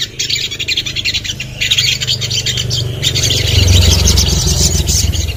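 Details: Common iora singing, played as a therapy recording to make other birds sing: rapid, high, rattling chatter in quick bursts that grow denser, over a steady low droning hum.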